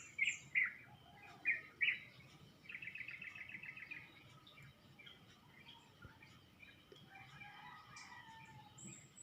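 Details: Dawn chorus from birds in a pomelo tree next to a house, recorded at about 5 a.m. before the sun rises. Several loud separate chirps open, then a short rattling burst, then softer scattered twitters and thin whistles.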